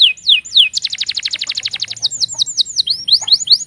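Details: Canary warning calls. Three high downslurred chirps open, then a quick run of about a dozen rapid sharp notes, followed by a series of swooping whistled calls.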